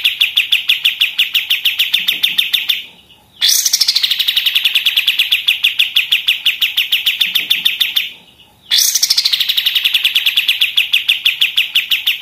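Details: Pied triller in 'machine-gun' song used as tutor material for other songbirds: long runs of quick, sharp, high repeated chips, twice interrupted by a brief pause and restarted with a bright downslurred note before the rattle resumes.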